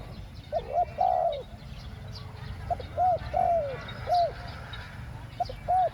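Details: Spotted dove used as a decoy to lure wild doves, cooing in the two-word 'ku-ang' style: mellow mid-pitched coos in phrases of a short clipped note then a longer falling coo, repeated about every 1.5 seconds, over low rural background rumble.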